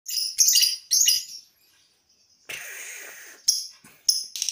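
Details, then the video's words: Caged lovebird practising its long trilling 'ngekek' song before a contest: harsh, buzzy, high chattering bursts, some lasting about a second, separated by short pauses and a brief silence. "lb ngekek sebelum ke kontes"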